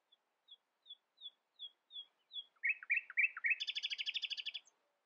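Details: Common nightingale, also called the Xinjiang robin, singing in the early morning and not letting rivals outsing it: a run of slow, evenly spaced high whistles, then rapid buzzy notes and a fast rattling trill, in a quiet setting.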